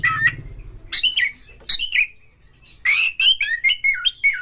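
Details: White-rumped shama full harsh-repertoire song, used as a prompt for other shamas: wavering whistles, loud raspy bursts separated by pauses, then rapid slurred whistled notes.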